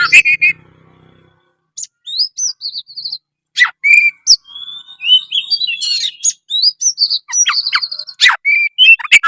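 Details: Kacer, the oriental magpie-robin, in full energetic song, delivering sharp clicks, rising whistles and rapid repeated trilled phrases after a brief pause at the start.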